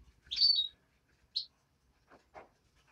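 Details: Hand-reared greenfinch chick giving one loud, slightly slurred high chirp followed by a shorter single note, then soft rustling.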